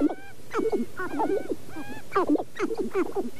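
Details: Sharp-tailed grouse on their dancing fields at Namekagon Barrens, northern Wisconsin, mid-April, early morning at about 23 degrees: a busy jumble of short clucks, hoots and nasal cackles from several birds, overlapping in quick bursts over a low rumble.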